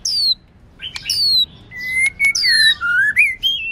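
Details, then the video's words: Female white-rumped shama song used to stimulate males during training: high clear whistles sliding downward, then lower level and rising whistled notes, spaced phrases with short pauses between. "Luyện Chòe Lửa HÓT NHIỀU GIỌNG HAY + MÁI HÓT Kích Trống"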